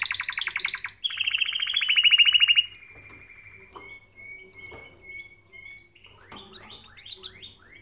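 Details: Canary song for training canaries. Fast, loud trills lead into a brighter rolling trill, followed by a quiet passage of thin, level whistles and a few soft, falling swoops at the end.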